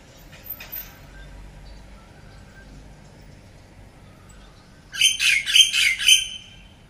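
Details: A myna's morning call: a burst of four or five harsh, squawking notes in quick succession after a faint, chirpy start.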